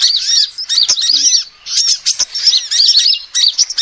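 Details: Female sunbird, a recording used as a lure: quick high-pitched chirping in two bursts, thin curved notes tumbling together, with a short silence near the middle.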